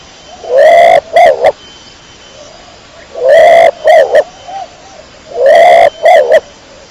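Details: Kecor-type domestic pigeon cooing in a steady pattern: three phrases, each a long rising harmonic coo followed by two short clipped notes, about one phrase every two and a half seconds.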